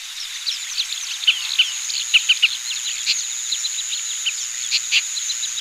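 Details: Oriental pratincoles recorded in Pingtung County, Taiwan, on 20 April 2017: a busy chatter of brief clipped notes, several loud ones in a quick run of three near the middle, over a constant thin high whine.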